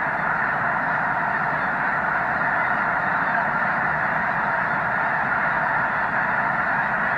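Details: Huge migrating snow goose flock at Loess Bluff National Wildlife Refuge, March 2021. Constant wall of massed nasal honks, thousands of birds calling at once, steady throughout with no gaps.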